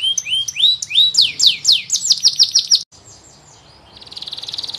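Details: Canary singing strongly: rising whistled notes give way to loud, rapid down-slurred sweeps, then a short pause before a soft, fast buzzy trill starts and grows louder.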